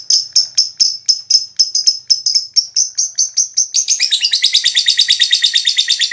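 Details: Lovebird in long ngekek song, used to stimulate other lovebirds: rapid chattering notes, first spaced pulses then speeding into a dense, buzzy, continuous rattle.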